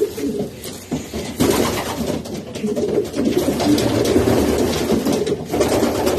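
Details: Racing pigeons making repeated deep, burbling coos, with a few clicks and sharp knocks amid a busy background of rustling wings and movement.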